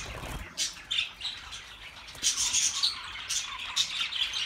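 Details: Budgerigars giving scattered shrill chirps and short warbled squawks in loose bursts over a quieter chattering background, after a brief low thump at the start.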